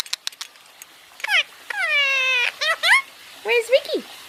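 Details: Indian ringneck parakeet kept as a pet, basking and talking: harsh nasal syllables, a sustained flat buzzy note lasting close to a second, then quick rising and falling squawks, with clicks and a person's voice around it.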